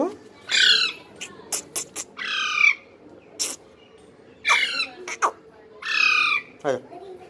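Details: Baby parrot calling naturally, repeating hoarse, grating squawks roughly every second or two, broken up by quick sharp clicks and ending with a lower rasping note.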